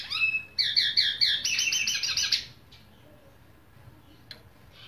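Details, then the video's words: High whistled notes lead into a quick series of repeated chirps and a rattling trill before the singing stops, leaving near silence. "نغريد طائر التفاحي"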